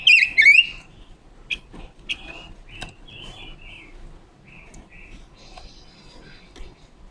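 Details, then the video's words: Female decoy red-billed leiothrix with a wild-forest song, recorded October 2021 to train voices and lure leiothrix into traps; opens with a loud sweeping warbled whistle, followed by a string of short, fainter whistled notes and a soft background hiss. "Ngũ sắc mồi già rừng hót hay, ngũ sắc mồi luyện giọng hót của chim già rừng ngũ sắc mái mồi"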